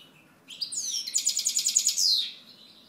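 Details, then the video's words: European goldfinch singing one short phrase: a rising sweep into a quick run of bright, evenly pulsed twittering notes ending in a buzzy slur, all high-pitched and clear. "Chant Chardonneret"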